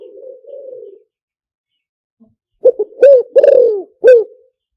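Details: Spotted dove lure call: a soft two-part purring murmur, a brief pause, then one loud hoarse phrase of short coos built around a longer falling middle note.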